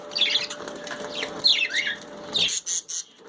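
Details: Budgies in their bath chirp in rapid, slurred notes, including one descending warble, amid water splashes and a sudden flurry of wing beats near the end.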